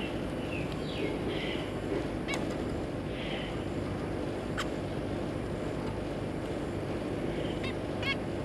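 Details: Kept zebra finch parents and their three juvenile young, 3 July 2022: a few soft blurred notes early, then isolated sharp nasal calls, widely spaced, above a steady background hum.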